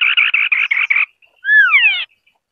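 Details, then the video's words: White-browed scimitar babbler singing: a quick run of six harsh, buzzy chattering notes, then a loud, slurred, descending double whistle with rich overtones. "Tiếng chim Họa mi đất mày trắng ✅White-browed Scimitar-Babbler (Pomatorhinus schisticeps) singing.."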